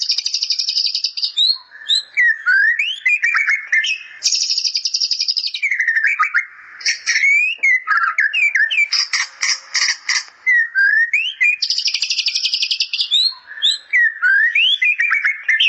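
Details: Continuous white-rumped shama song with bar-winged prinia fill, alternating long, high, buzzy rattling trills with quick slurred whistles and sharp chips.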